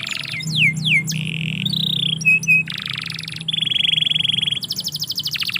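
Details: Canary in a yard delivering rolling song: buzzy trills, a couple of clipped notes, a long even roll, and a fast rattling trill to finish, with low background hum.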